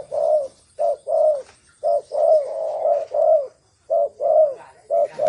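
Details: Loud, close spotted dove giving thổ sấm style coos. Low, rounded notes in quick doubled and tripled groups, some stretched into longer throaty rolls, with little background sound.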